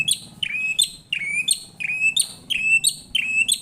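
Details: White-rumped shama answering a lure recording with a repeated phrase roughly every third of a second: a sharp high accent followed by a clear, slightly wavering whistle, low hum underneath.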